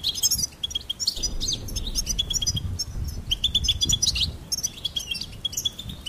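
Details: Goldfinch singing: high chirps and tinkling trills come in short phrases between brief pauses, over rumbling low background noise.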